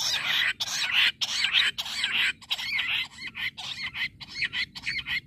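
Jungle bush quail giving harsh, squeaky, high-pitched notes in quick bursts, almost two a second, running together into a busy chattering series.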